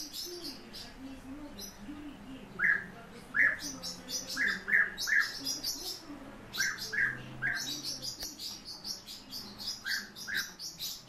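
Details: European bee-eaters calling: short rolling liquid notes, mostly in pairs or triplets, with quieter gaps between bursts. Higher, thin chirps run almost continuously over them.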